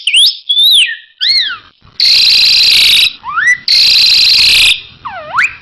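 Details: Asian pied starling song from a one-minute training recording full of elaborate filler phrases: loud clear whistles sweeping up and down, alternating with long harsh, rasping bursts and a final descending then rising whistle.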